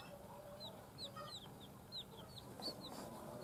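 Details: Newly hatched chicks just out of the egg, giving faint, high, downward-slurred peeps scattered irregularly over a low background hum.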